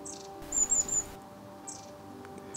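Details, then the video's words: Long-tailed tits arriving in an English wildlife pond garden in August 2020 give a quick run of thin, very high chirps, then a few fainter high notes, over a low steady hum. "that chirping, that's the long-tailed tits coming in."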